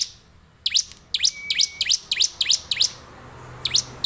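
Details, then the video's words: A bar-winged prinia in vigorous song, used to spur other prinias to sing, gives a fast run of sharp, high, upward-sweeping chips, about three per second, then pauses and adds one more note. "ciblek lain pasti gacor dengan suara ciblek gacor ini"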